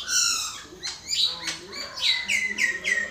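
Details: Common myna voicing clear whistled notes rich in overtones, then upslurred squeals and a burst of short, bright chirps, loud and close.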